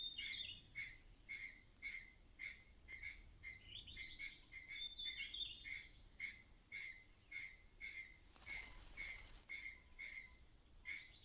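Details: Myna mother bird acting strangely, warning that danger may be nearby: harsh, clattering calls repeated about twice a second in a steady series, with a thin whistle overlapping midway and a brief burst of broadband noise near the end.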